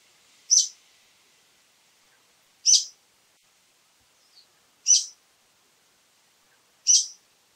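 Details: Harsh, rasping high-pitched notes from a brown-eared bulbul, repeated about every two seconds, four calls with a faint short chip between them on a quiet background.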